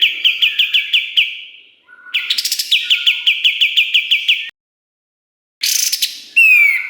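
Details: Kapas tembak 'nembak' song for mastering competition birds: steady series of rapid high chirps, a second faster series, a pause, then a harsh burst and a clear down-slurred whistle.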